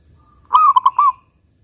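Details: Local zebra dove giving a single big 'kung' coo: one short, loud, warbling phrase of several rolled notes lasting under a second, otherwise quiet.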